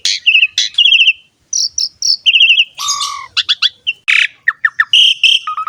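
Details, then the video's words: Asian pied starling in full song, used as a tutor recording to make starlings sing; quick rattled trills alternate with clear whistled notes, squeaky chips and a low slurred phrase. "JALAK SUREN GACOR ‼️ MASTERAN DAN PANCINGAN BURUNG JALAK PALING AMPUH"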